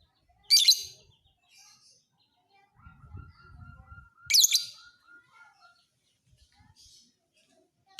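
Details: Fighter lovebird used as a training model for other birds: two strident shrieks about four seconds apart, while another bird gives a faint, steady series of short whistled notes, plus low rumbling.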